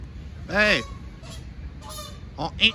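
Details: Canada goose attacking a lost gosling gives a loud, harsh honk that rises and falls, with short softer honks near the end; a man's voice and outdoor background noise are also heard.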